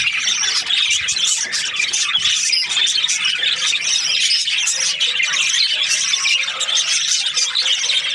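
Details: A group of budgerigars held as breeding pairs keeps up a lively, high-pitched twitter of rapid chirps, rasps and whistled notes, evenly loud and without a break.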